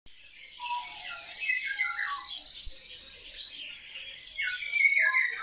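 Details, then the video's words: Captive sparrows, very social birds, kept indoors: a dense chatter of overlapping high chirps and short squawks from several birds, some notes sliding downward, with a steady twittering throughout. "Воробьи - Sparrow"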